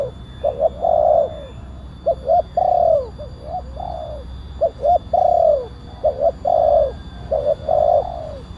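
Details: Cooing of a loud-voiced spotted dove, used as a lure and tutor to bring wild doves down: rhythmic phrases of a couple of short notes followed by a longer drawn, falling coo, repeated steadily over a low background hum.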